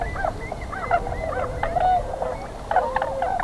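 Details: Tundra Swans resting on spring migration near Pinery Provincial Park, Ontario, on their way to northern breeding grounds. Mellow, wavering honks and yelping notes overlap, with a few stronger bursts above a busy background chorus.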